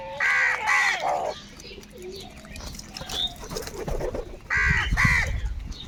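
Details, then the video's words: Crows calling, two paired harsh caws at the start and again near the end, with a lower, softer murmur of other birds between them. "Kaka sound and noises of Crow birds | Huge numbers of crows crowing and crying sounds"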